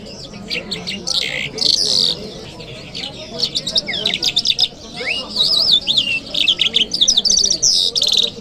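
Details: Lark recorded singing in Kabul city on a Friday morning: a long, restless stream of high zigzag whistles, clicks and buzzy trills that rarely pauses and mimics many note shapes.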